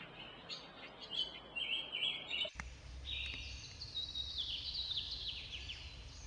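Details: Oriental magpie-robin (Copsychus saularis), wild bird in Bangladesh, singing bright, high whistled phrases with varied notes, over steady background noise and a low rumble after an abrupt break.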